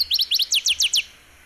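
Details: Northern Waterthrush song from Sonso Lagoon near Buga, Valle del Cauca, Colombia: loud, sharp, downslurred chips delivered in quick pairs, about eight notes in one second, ending abruptly.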